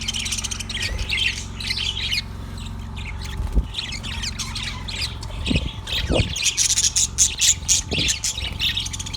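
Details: Yellow budgerigar recorded on February 18, 2024, giving a busy run of bright, scratchy chirps and warbled twitters in quick uneven bursts, with a few sharper squawk-like notes over a steady low hum.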